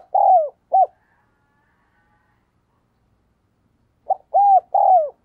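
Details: Decoy spotted dove cooing to lure wild doves. A falling coo and a short note open the recording, then after a pause a new phrase of quick arched coos and a long downward-sliding coo.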